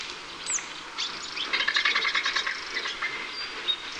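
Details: Griffon vulture of the Iberian fauna producing a rapid, stuttering cackle of short rasping pulses, about three per second, building then fading, with a high thin bird note and background hiss.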